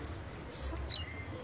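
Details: Single blue-black grassquit song note: a piercing, buzzy half-second burst sweeping downward, with a quiet background.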